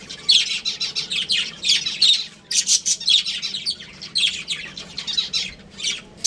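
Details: Budgerigar breeding pair kept as pets, giving loud, busy chatter of high, harsh chirps and squawky notes packed closely together, with brief gaps near the middle and toward the end.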